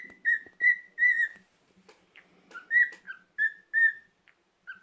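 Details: A resting pet cockatiel whistles a run of clear, steady notes around two kilohertz, several in quick succession, then a pause with soft clicks before more whistles.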